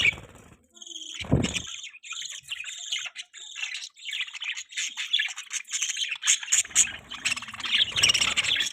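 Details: Budgerigar chirping in a continuous, busy stream of buzzy warbles and squeaky chirps, with a thump near the start.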